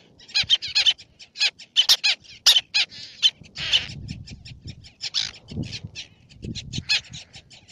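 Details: Black-naped tern on Fares in Baa Atoll, Maldives: loud, grating, high calls repeated rapidly in short clipped notes, sometimes in quick doublets, with a faint low rumble of wind behind.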